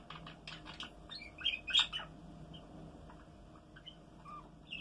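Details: Male Belgian canary, a pet, sings a quick run of bright chirps and short twittering notes, some sharply rising, over a faint steady indoor hum.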